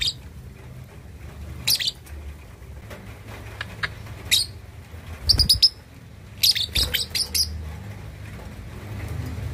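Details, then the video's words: Juvenile lovebird aged two and a half months, learning to chatter (ngekek): scattered high, sharp chirps building into short rapid clusters, with some low thumps and handling noise between calls. "Love Bird Usia 2,5 Bulan Belajar Ngekek || Paud Balibu Cocok Buat Memancing Lawan..!!!"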